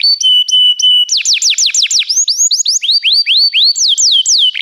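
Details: A canary in a training recording sings three level pure whistles, then a fast run of steep falling notes, upward-curving slurs and a few final swoops.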